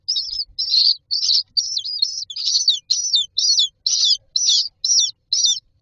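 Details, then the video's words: Young common mynas in a nest box waiting to be fed: a steady run of about a dozen scratchy, high chirping bursts, roughly two per second, fairly loud and continuous, with little background noise. "Myna chicks are standing in a row waiting for food"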